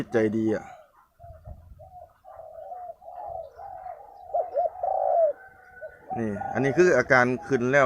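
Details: A captive male Spotted Dove being readied for decoy training, judged ready by its calm temperament, gives a run of soft, low, hollow coos in quick short phrases; a man talks before and after.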